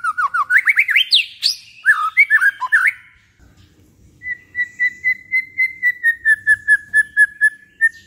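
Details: White-rumped shama song used as a provoking track for hobby birds: fast looping, swooping whistled phrases with rich warbles, a short pause, then a steady series of clear, repeated mid-pitched whistles.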